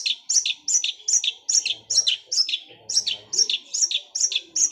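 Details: Long-tailed shrike with a sparrow-like song whose rolling bursts are compared to a sewing machine: evenly paced pairs of high, sharp chirps, a two-note pattern repeated about twice a second.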